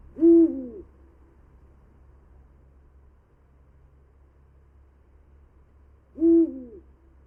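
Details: Eurasian eagle-owl giving two deep, short hoots about six seconds apart, each swelling briefly and falling away, with silence between and a faint steady low hum underneath; played back during a conversation about birds and climate change.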